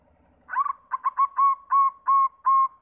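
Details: White zebra dove (perkutut putih) singing as a lure to prompt other zebra doves to sing: a rapid run of about seven clear, mellow cooing notes, each evenly spaced and slightly rising, with a stutter at the start and a quiet background.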